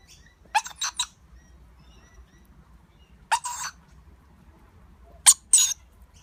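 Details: Baby lorikeet eating with its parents: short clusters of rapid raspy chirps, two or three notes per cluster, separated by quiet pauses, with soft low background rumble.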